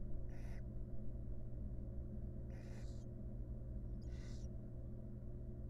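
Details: Wild barn owls in a research nest box, mother grooming the chicks; three well-spaced wheezy, rasping hisses about two seconds apart against a persistent low hum.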